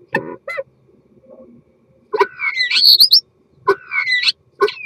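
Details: Common starling singing a mating song: a busy jumble of clicks, short nasal notes, squeaky chatter and bright rising and falling whistles, with brief pauses between bursts.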